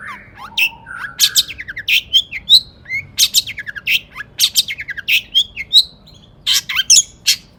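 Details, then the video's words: Excited long-tailed shrike singing to stir other shrikes into song, delivering a rapid, varied jumble of buzzy bursts, short slurred whistles and dry chattering notes with brief pauses between phrases. "cendet gacor AMPUH EMOSI TINGGI buat PANCINGAN CENDET AGAR BUNYI"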